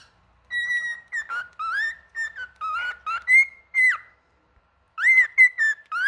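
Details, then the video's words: Male cockatiel singing a string of clear whistled notes, short and long, some flat, some sliding up or down, in quick bursts with one short pause, no other sounds. "Calopsita Cantando Macho"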